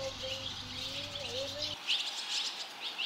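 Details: Barn swallow nestlings fledging, all five leaving the nest within 2 minutes 30 seconds while earlier-fledged young from nearby nests call; a steady low tone at first, then sharp high chirps come in rapid clusters.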